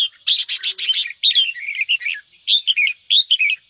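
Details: A red-whiskered bulbul opens with a quick burst of harsh, scratchy notes, then gives short, bubbly warbled phrases that rise and fall in bursts about a second apart; the song is played to fire up other bulbuls into singing.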